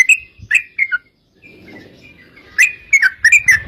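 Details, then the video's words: Yellow-vented bulbul in 'gacor' song meant to lure other bulbuls into answering: a few liquid whistled notes, a thin drawn-out faint whistle over a soft rushing background, then a renewed burst of gurgling notes. "trucukan gacor TARUNG ROPEL PANJANG pancingan trucukan agar bunyi jadikan burung trucuk gacor NYAUT"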